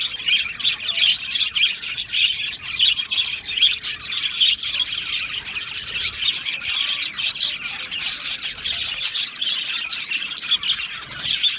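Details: Budgerigar colony in an aviary, singing and chirping: an unbroken, busy chorus of high chirps, ticks and warbled twitters from many birds.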